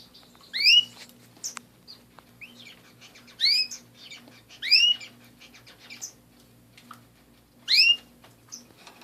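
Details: Pet canaries repeat short rising chirps four times across the stretch, spaced about two to three seconds apart, with faint high ticks and soft twitters between them.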